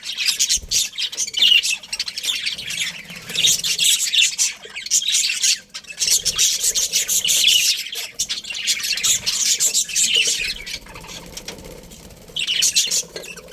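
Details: Steady chattering from a breeding pair of budgerigars, a long run of scratchy warbles, squeaks and rasping chirps that barely pauses, swelling and easing over several seconds.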